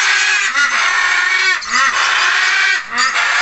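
Budgerigars chatter nonstop in a dense, scratchy warble of quick chirps and squeaks, with lower nasal notes recurring about every second.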